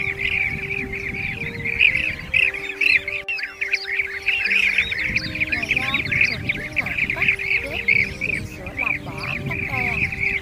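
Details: Bee-eater calls, blue-tailed, used as a net-trapping lure to call the flock to feed and to roost; steady stream of trilled, rolling notes, overlaid with held musical tones and busier chirping midway.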